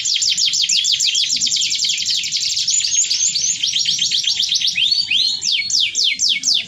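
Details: Canary singing vigorously in the cengkok mewah song style: a dense, rapid run of high sweeping notes repeated about four times a second, shifting into faster rising and falling slurred phrases, with a faint low rumble beneath.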